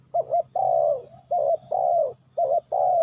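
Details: Close spotted dove giving a rapid series of phrases, each a doubled short coo followed by a long, softly falling croo, repeated three times in about three seconds.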